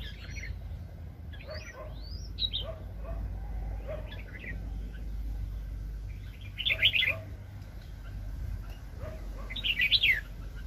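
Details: In a 2020 trapping session, an excited wild red-whiskered bulbul sings. Soft rising whistles and scattered chirps lead to two short, louder warbled bursts several seconds apart, over low rumbling background noise.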